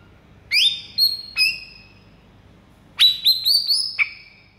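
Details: White-rumped shama training song meant to trigger replies from other shamas: loud, clear, high whistled notes in two bursts, first three sharp rising notes, then after a pause a quick run of four or five notes ending lower.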